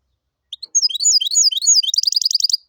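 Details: Hybrid of goldfinch and canary, song called "tibetano" and "tuitero": a single quick phrase of sweeping, whistled chirps rolling straight into a rapid, even high trill.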